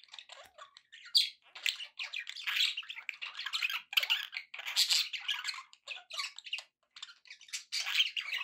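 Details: Continuous warbling chatter from happy pet budgerigars, rapid buzzy and squeaky notes overlapping almost without pause, with occasional sharper squawks.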